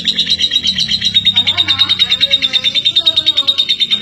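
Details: Female lovebird from East Lampung, Indonesia, kept for long-duration singing, delivers nonstop shrill high chirping at a steady pitch, about three pulses per second, over a faint low murmur.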